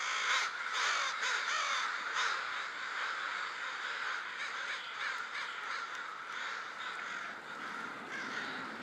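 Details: Large group of crows gathered together before heading to the roost, very loud: dense overlapping harsh caws, many birds calling at once in a continuous noisy chorus, with sharper individual caws standing out in the first few seconds.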